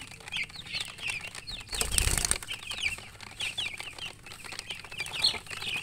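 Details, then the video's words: Baby chicks peeping in rapid high chirps, many birds overlapping, with a loud burst of rustling or wing flapping about two seconds in. "Baby "Chicks Chirping" Sound"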